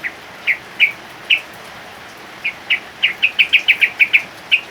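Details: Male yellow-vented bulbul singing in heavy rain in the ngropel style, a lively continuous song. About fifteen short, sharp chirped notes, spaced out at first, then tumbling quickly one after another, over a faint steady hiss.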